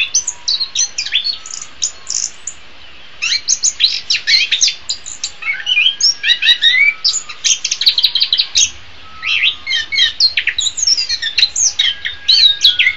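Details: Orange-headed thrush in full song, a recording for training birds, best in the morning or afternoon: long stretches of rapid, varied chirping and whistles, one short silence early on, then steady chattering phrases to the end.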